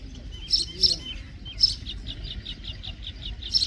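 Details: Common myna singing in a rapid run of bright chirps and clicks, with louder sharp notes standing out. It ends in a quick series of evenly spaced short whistles over low background rumble.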